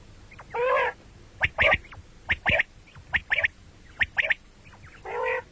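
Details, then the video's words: Common quail calls, morning and night: a long nasal buzzy note, a series of sharp paired and tripled clicks, then another drawn-out buzz. "бедана batair ki awaz quil sound beautiful morning and night بٹیروں کی سپیشل زبردست آواز صبح رات"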